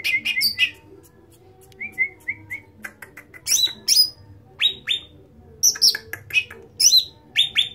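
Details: Cucak ranting (bulbul) singing loudly and continuously: bright, high whistled notes in quick bursts, some rising sweeps and short repeated chips, phrases spaced roughly every half second, with a low steady hum underneath.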